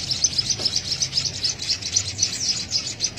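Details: Begging Javan munia chick during straw feeding, uttering quick high tseep notes in a fast, fairly even series, about four each second.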